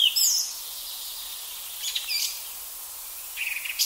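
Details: Song thrush (Turdus philomelos) singing in an April forest: three brief, bright, high whistled phrases spaced over a few seconds, with a quiet hiss of background noise; robin and chaffinch voices are heard in the background.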